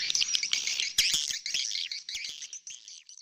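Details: Swiftlet lure call, edited, from Kota Kadindi Barat: a busy stream of high, shrill chirps and twitters with scattered clicks, fading slightly toward the end.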